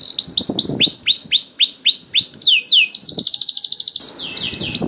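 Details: Gacor canary song used to provoke reluctant canaries into singing: loud high trills of repeated downward-sweeping notes, shifting between phrases of slurred chirps and fast rattling rolls, with faint low thumps beneath.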